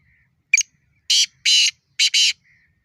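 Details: Black francolin call tied to fighting: a brief sharp opening note, then four harsh, buzzy, rasping blasts in a rapid phrase, with the final pair run close together; a faint thin whistle is heard before and after.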